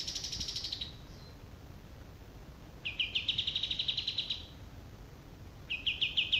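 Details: Somewhat faint song of a male olive-winged bulbul: high trilled phrases, one fading away and then two more, fast pulsing notes separated by quiet gaps of a few seconds.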